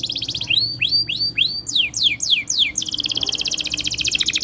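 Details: Canary song to trigger singing in other canaries; a handful of slurred falling whistles give way to a rapid, even, buzzy trill.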